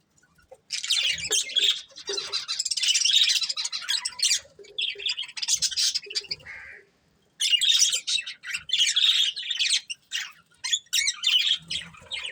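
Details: A breeding pair of budgies keeps up long bouts of harsh, buzzy chatter and squawks, broken by a short silence before the chirping resumes.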